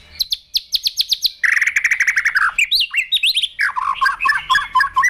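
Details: Provoked white-rumped shama singing a fighting song in its cage, tail flicking: a rapid series of high clicking notes, then fast rattling trills, looping whistles, and a run of lower chattering notes.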